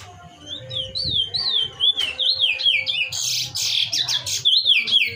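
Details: Chestnut-bellied seed finch (curió) singing in mateiro style, a song used to warm up and excite another curió. Clear whistled warbling phrases slide up and down between high notes, with a burst of harsher buzzy notes midway, over a low background hum.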